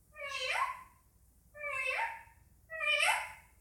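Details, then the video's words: Pet Indian ringneck parakeet chattering: three drawn-out nasal, rising-then-falling squawks, each about a second long, spaced roughly evenly. "Indian Ringneck making noises"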